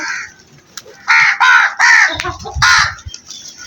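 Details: Crow cawing loudly: a faint caw, then four harsh, rasping caws in quick succession, followed by low thumping noise.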